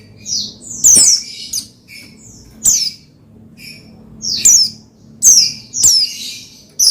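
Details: Oriental white-eye (pleci) sounds used to excite another pleci into song: harsh, high squeaky chirps and scratchy twitters repeated in irregular bursts under a second apart.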